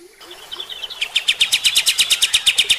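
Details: Striated grassbird (kapas tembak), recorded as a master song for training other birds: a few soft notes, then a fast series of loud, sharp, evenly spaced chipping notes, about seven per second.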